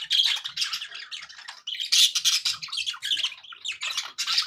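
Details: Happy pet budgies in steady, busy chatter, a dense stream of harsh buzzy squawks and fast warbled chirps with hardly a pause, loudest near the middle.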